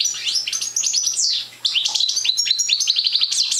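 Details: Young European goldfinch of the Parva subspecies, not yet in full song, giving a rapid, high twittering song of liquid chirps and trills, broken by a short pause midway, with no other sounds.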